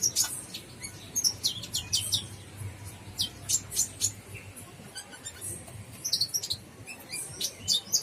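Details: Lively gacor full isian singing by a Brown-throated sunbird: dense series of high sharp chirps and twitters in irregular bursts, pausing briefly midway before resuming with quick bright notes.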